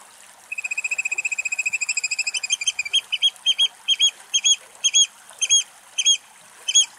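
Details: A Eurasian oystercatcher in Greece, calls possibly alarm cries, gives a fast run of shrill piping notes that slows into loud, evenly spaced 'kleep' calls about every half second.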